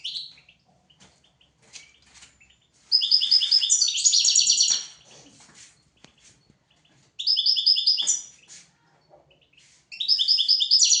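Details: European goldfinch song meant for tutoring goldfinches and canaries: three bursts of about two seconds, each of repeated bright, high notes speeding into a rapid, buzzy twittering trill, separated by near silence with faint clicks.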